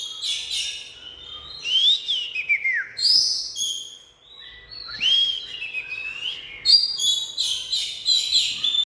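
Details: Oriental magpie-robin song mixing harsh, scratchy high notes with downward-slurred whistles, a short quiet pause midway, then rapid repeated chirps toward the end.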